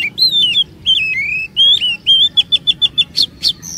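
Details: Oriental magpie-robin lure song for coaxing long phrases from other magpie-robins; smooth looping whistles give way to a rapid series of about eight clipped repeated notes ending in high chips.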